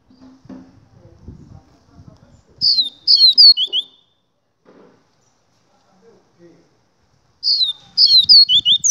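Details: Double-collared seedeater repeating a song phrase of fast, high, clipped whistles that drop in pitch, twice about five seconds apart, with faint low background sounds.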